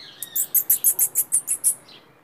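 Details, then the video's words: White saffron finch, called jilguero blanco, singing while loose rather than caged. A fast run of about ten very high, sharp notes spaced evenly over about two seconds, ending in a softer lower note. "JILGUERO BLANCO SUELTO UNA HERMOSURA !!"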